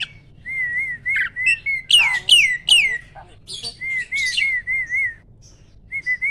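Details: Champion kept starling singing its loud, varied contest song: soft wavering whistles repeated in a row, interrupted by sharp down-slurred shrieks and scratchy notes.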